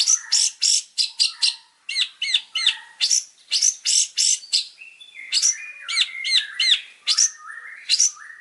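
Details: Master song of a champion Long-tailed shrike for training: a varied, nonstop stream of sharp chirps, upward-curving whistles and short trilled notes, partly harsh and partly clear, with brief gaps.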